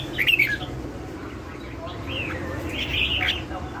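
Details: Lân hầu bò song of a red-whiskered bulbul: a quick twittering burst at the start, a pause, then longer bright whistled phrases that swoop up and down.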